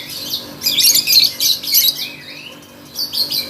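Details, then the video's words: Contest lovebird pouring out fast, high-pitched chattering notes, several harsh bursts per second with a brief rising whistled slur near the middle. "Burung love bird gacor kontes"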